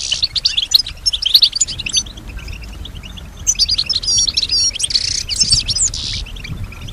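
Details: Singing female European goldfinch responding to nearby sounds: dense high twittering with buzzy and trilled passages, a quieter stretch in the middle, then another energetic burst.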